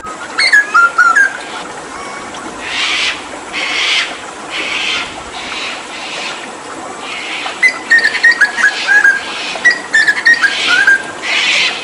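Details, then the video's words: Hooded butcherbird from Papua, a skilled mimic, during water therapy, singing in the energetic tembakan style: clear whistled notes, some stepping up and down, between bursts of hissing spray-like noise. "Masteran Tembakan JAGAL PAPUA gacor"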